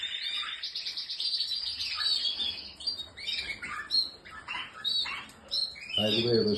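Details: Canary song of high rolling trills and clipped chirps in changing phrases, gaps between bursts, ending with a lower harsh buzzing sound over the last half second.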